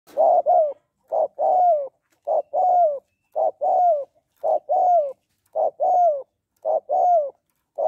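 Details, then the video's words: A spotted dove, presented as a female calling to stimulate males, coos in low, soft phrases: a short note, then a longer falling coo, repeated about once a second. "Tiếng Cu Gáy Giọng Hạp BổI ĐỦ BÀI [ GÁY GỌI,THÚC,GÙ ]Kích Bổi Nhanh Nổi"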